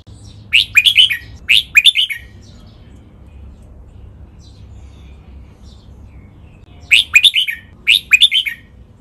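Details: Caged red-whiskered bulbul song in named Thai styles, the doubled 23 counted notes, master pattern, Lak Wai and Pa La-u, used to train captive birds to copy. Two quick bursts of bright, chirpy whistled notes, separated by about six seconds of quiet.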